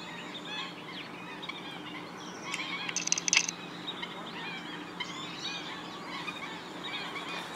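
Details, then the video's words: Black-winged stilts, a large flock in a wetland at Gathera bird sanctuary, Gujarat, India. Many overlapping high, short calls form a steady chattering chorus, with a brief louder burst near the middle over constant background hiss. "Stilt sound"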